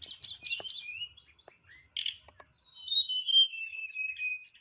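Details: Kept white-rumped shama singing nyeklek style, with strong volume and full fill: quick buzzy chattering notes at the start, a sharp burst, then a long descending whistled glide.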